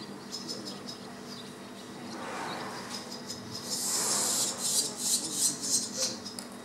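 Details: Barn swallow recorded 18 July 2017 at Zavalatica on Korčula island, Croatia, twittering in quick, high, scratchy bursts with brief chirps, building into a denser chattering run near the end over a faint background hum.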